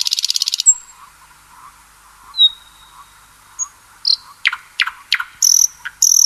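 Common Nightingale song: a fast dry rattle, then a long pure whistle and a burst of sharp, varied notes with ringing trills.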